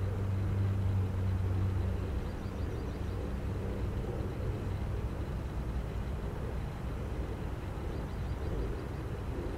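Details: Low engine drone with a steady hum that drops after two seconds, and no bird heard.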